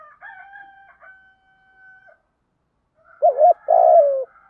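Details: Spotted dove coo for stimulating a freshly caught decoy bird: faint steady high tones at first, then a loud two-part phrase, a wobbling short note followed by a longer coo that drops in pitch.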